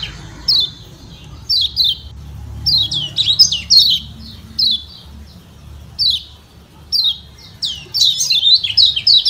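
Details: Lombok white-eye, known locally as kecial kuning, calling ciak ciak to stir other birds into answering; high, sharp descending chirps scattered singly, then tightening into rapid clusters toward the end.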